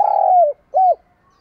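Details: Part of a spotted dove's song, used to train dove voices: a long, slightly pulsed coo falling in pitch, a short pause, then one brief arched coo.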